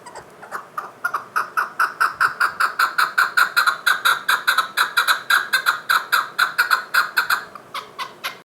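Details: Chukar partridge calling: a fast, steady run of harsh clucking notes, roughly five per second, swelling slightly in loudness, then breaking off briefly before a last note near the end.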